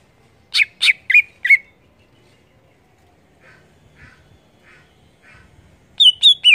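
Greater green leafbird giving loud, sharp, whistled notes: a quick burst of four, faint softer calls, then three ringing notes near the end.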